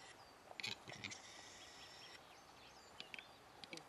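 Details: Lek-crazed capercaillie cock displaying: brief dry scraping bursts in quick pairs near the start, followed by scattered faint clicks and rasps against a constant low outdoor hiss.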